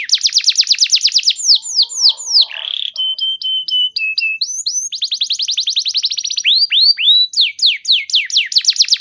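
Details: Clear canary song serving as a lure for canaries that stopped singing: very rapid trilled sweeps, a brief rough burst, clipped level notes, another fast trill run and loud falling whistles.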